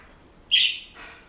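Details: Pet Senegal parrot indoors gives one short, bright whistled chirp that starts sharply and slides slightly downward, followed by a softer, breathy trailing note in a quiet room.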